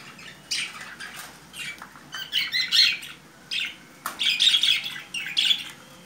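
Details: A playing budgerigar gives bursts of scratchy, high-pitched chirps and squawks in irregular clusters.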